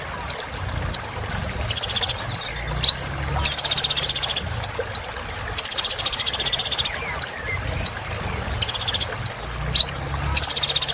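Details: Olive-backed sunbird singing persistently, used as therapy for birds that have stopped singing: sharp rising whistled notes scattered between long, rapid, metallic trills that repeat every two seconds or so.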